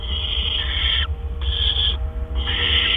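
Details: Barn owls at the nest around 8 PM in April 2013 as food arrives; three rough, breathy hissing bursts, each nearly a second long, separated by short silences over a faint hum.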